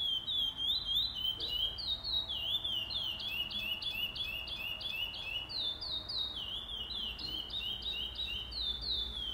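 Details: Chestnut-bellied seed finch singing at a song tournament, 8 November 2020: a long, fluting run of clear whistled notes, stepping up and down in quick, repeated phrases over a low hum.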